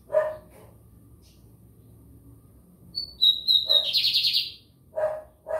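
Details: White-throated seedeater song from São Luís, Maranhão, Brazil: short high whistled notes lead into a rapid buzzy rattling trill, framed by repeated loud dog barks before and after.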